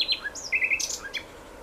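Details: Common nightingale in a brief varied phrase: high slurred whistles, a rapid buzzy rattle, then falling notes trailing off into quiet.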